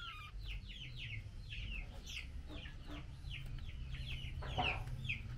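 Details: Calling to her mate while given mealworms, a female Chinese hwamei utters bursts of crisp downward-slurred chips in quick clusters, then brief pauses, over faint low-pitched background noise.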